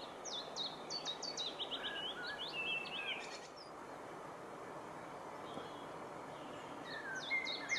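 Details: Mixed-singing willow warbler, 16 June 2015, known to add chiffchaff notes; a rapid cascade of sharp high notes drops in pitch over about three seconds, then a quiet gap and a fresh high phrase, against constant outdoor hiss.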